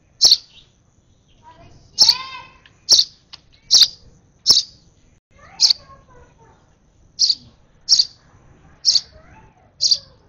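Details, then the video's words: Hand-fed baby sparrow at its last feed keeps up a series of high, piercing chirps, about a dozen in ten seconds. Faint lower, wavering sounds can be heard between some notes. "Last feed of a UNLUCKY, Over Excited Sparrow Baby"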